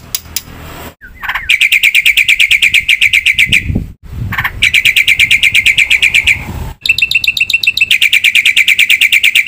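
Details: Black-winged myna in full song with mimicked inserts, delivering long, rapid, even trills of bright metallic notes in three bursts separated by short pauses and a faint background rumble.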